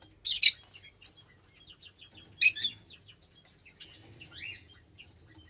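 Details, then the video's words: Lovebirds giving shrill, high chirps and harsh broadband squawks in short bursts, with fainter twittering notes between them and a low hum underneath. "Love Birds Nature Sound"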